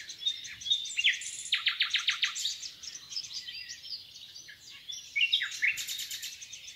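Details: Nightingale song from the Rawka river valley at Dolecko, Poland: varied high phrases of quick chirps, short rattling bursts and whistled slurs tumbling together, with a brief fast trill near the end.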